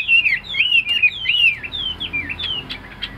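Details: Captive tame Chinese hwamei, singing a string of clear, looping whistles that rise and fall about twice per second. The phrases grow slightly softer toward the end.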